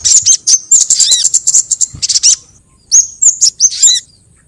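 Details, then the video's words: Lure call to attract sogon birds: bursts of very high, rapid chirps and a swooping note, a quiet pause, then a few separate sharp whistled chirps. "SUARA PIKAT BURUNG SOGON & PANCINGAN BURUNG SOGON"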